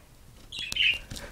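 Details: Pet quaker parrot indoors, biting at a camera: a short bright chirped call with a high whistled stroke, followed by clicks and soft tapping.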